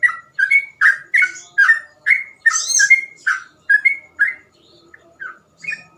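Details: Steady string of slurred, whistled notes from a sooty-headed bulbul singing rapid 'ropel' song for other bulbuls to copy, briefly overlapped by higher chatter, then thinning to a few spaced notes.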